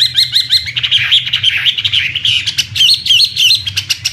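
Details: Chinese hwamei, an imported contest songbird, singing a loud, varied run of rapid whistled phrases, with quick repeated upslurred notes at the start and sharp clipped notes between the sweeter phrases.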